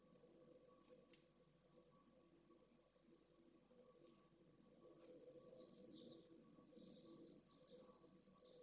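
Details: Pallid swift pair returning at dusk to nest 3 in Jerez de la Frontera, Spain, where the female laid her first egg overnight. Distant, quiet, high buzzy screams come only in the last three seconds, over a low background hum.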